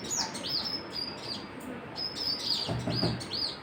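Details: Birds chirping: high arched whistled notes at an uneven pace, mixed with short chips, over background noise with a brief low hum near the end.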